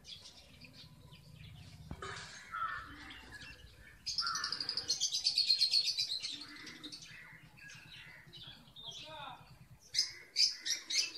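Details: Red avadavat kept in a cage, nest building in February 2017, male still lacking red feathers; rapid run of high, thin chirps about four per second, followed by scattered tweets and a final burst of sharp notes.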